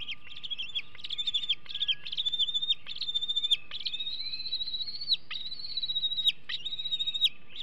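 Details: Hanover bald eaglet, 2021, food-aggressive days before leaving the nest: loud, rapid, high-pitched chittering whistles in dense repeated runs of short notes, nearly continuous, with a few sharp clicks and faint background hum.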